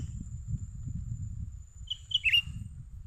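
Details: Young cucak ranting bulbul heard while being lured: one quick phrase of high whistled notes ending in a warbling slur, over a continuous low rumbling background.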